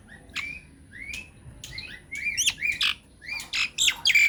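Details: Myna lure to provoke answering mynas: scattered rising whistled slurs and sharp clicks, building into louder downswept whistles and short harsh screechy bursts toward the end.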